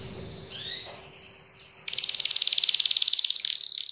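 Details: Canary in full song, meant to set other canaries singing: after soft scattered notes, a sudden loud fast trill of high chirps starts near two seconds and runs steadily to the end.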